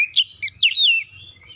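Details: Brief fiery phrase of oriental magpie-robin provoking song, meant to excite another bird into singing: a few sweet, tumbling whistled notes sliding up and down, then fading.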